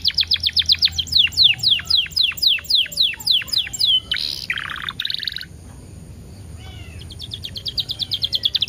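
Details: Canary singing as a lure for other canaries: rhythmic downslurred whistles about three a second, harsh buzzy bursts, a quiet pause, then a fast high trill.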